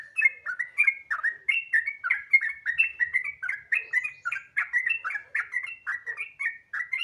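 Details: Sooty-headed bulbul in continuous, relaxed 'gacor ropel' song, used as a lure to make other bulbuls sing: rapid run of short liquid, slurred whistled notes, rising and falling, several per second without pause.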